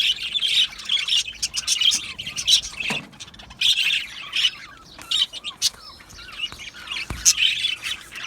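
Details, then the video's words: Colony of Australian budgies singing happily in an aviary: bursts of busy scratchy warbling alternate with brief pauses holding short rising and falling whistled chirps, several birds calling at once. "Australian Budgie singing and chirping sounds"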